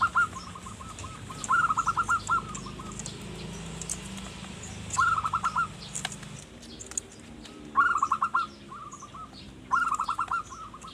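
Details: Zebra dove cooing in manggung style as bait for forest birds: four separate bursts of rapid, rhythmic mellow notes, each about a second long and spaced a few seconds apart, over low rumbling background and faint ticks.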